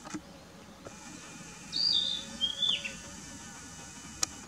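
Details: Narcissus flycatcher at Mukaiyama Park, Esashi, Oshu, Japan, on 12 May 2017, giving one brief, high whistled phrase stepping downward over about a second, over faint background hiss and a single sharp click.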